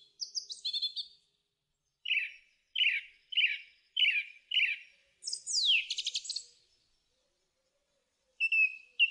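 A thrush sings bright, varied phrases: a high whistled opening, one short note repeated five times, then a falling buzzy trill, all clear against silence.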